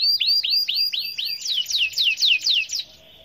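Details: Vigorous canary song meant to get other canaries singing along: a series of loud whistled notes that each sweep down, repeated about three times a second, then a brief buzzy trill before quieter ending.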